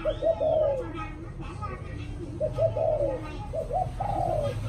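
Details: Spotted dove cooing in the evening: three soft phrases of short notes ending in a longer falling coo, with people talking faintly nearby.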